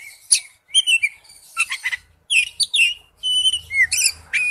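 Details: Oriental magpie-robin singing in wild forest style: varied phrases of sweet whistles mixed with harsh, buzzy high notes, delivered in short bursts separated by brief pauses.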